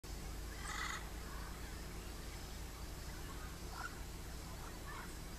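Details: Yellow-crowned amazon from Barinas, Venezuela, gives one harsh, raspy squawk early on, then two fainter grating calls, over a steady low rumble of background noise.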